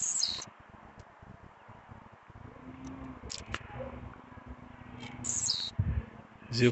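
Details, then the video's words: Blue-black grassquit singing at night on 31 July, agitated and singing nonstop with a female released nearby: short, very high buzzy bursts, three times a few seconds apart, over a low hum with faint voices. "tiziu noturno cantando muito"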